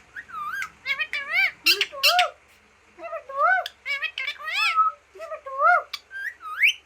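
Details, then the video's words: Green parrot, a talking bird, squawking and chattering in rapid clusters of wavering, harmonic-rich notes, with one short silent gap partway through before the busy calling resumes. "#talking parrot #birds voice #tota"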